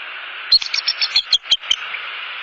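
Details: Wild bald eagle pair returning to their nest for the evening in Southwest Florida on 29 November 2015, during the mating season; a rapid series of sharp, high staccato chirps and clicks, about eight notes in a second.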